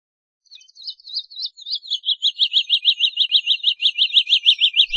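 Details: Woodlark song phrase that starts quietly with thin high notes and steadily grows louder into a regular, rapid run of repeated downslurred whistles, about three per second, continuing to the end.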